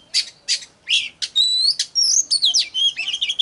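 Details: Oriental magpie-robin song meant to stimulate singing and attract birds: a few harsh separate chirps, then long clear rising and falling whistles flowing into quick varied twitters.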